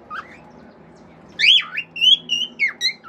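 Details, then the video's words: Domestic male cockatiel singing natural songs and wolf whistles. After a faint opening chirp come a loud rising-then-falling swoop and several clear level whistles, ending in a short downward slur, with a steady low hum beneath. "CALOPSITA MACHO CANTANDO CANTOS NATURAIS, FIU-FIU, ESTALINHOS ENTRE OUTROS"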